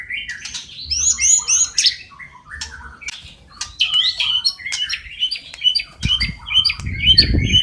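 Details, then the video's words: White-rumped shama singing nonstop, its song stuffed with sparrow, fighting lovebird and kapas tembak phrases. A rapid jumble of chirps, squeaks and whistles plays, and a rough low rustle enters near the end. "Murai Batu Gacor Isian Gereja Tarung Love bird Kapas Tembak"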